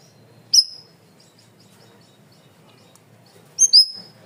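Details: Cream-vented bulbul singing in a loud training recording: one piercing high chirp with a held tail, a long quiet gap, then a double upslurred whistle.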